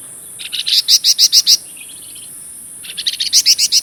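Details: Golden-bellied gerygone (flamboyan) singing hard, used as a master song for magpie robins and shamas. Two bursts of rapid, bright, repeated notes, separated by a soft fluttering trill.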